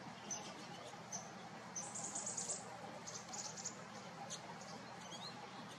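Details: A group of common redpolls feeding busily in a backyard before snowfall gives short, high, dry twittering chips with a brief busier burst, over steady hiss; titmice, jays and a squirrel may also be heard.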